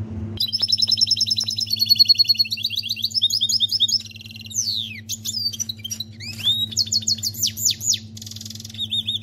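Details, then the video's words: Canary singing in goldfinch style: a dense, fast run of high whistled trills, rapid buzzy rattles and sharp rising and falling sweeps that change phrase every second or so, over a steady low electrical hum. "Canari chante chardonneret"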